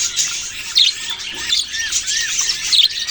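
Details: Budgerigar chatter: many high, rapid chirps and scratchy warbles overlap, broken by a few clearer rising-and-falling whistled notes near the middle.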